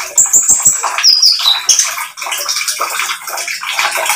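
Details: Several clear, high whistled notes that slide downward open this oriental magpie-robin song. A burst of dense, scratchy high chatter follows. The recording is a lure meant to draw other birds into singing.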